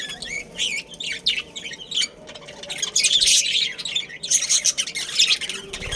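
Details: Budgerigar breeding pair and family in a caged colony in Karachi, chirping and warbling in scratchy bursts that build into dense, squawky chatter in the second half.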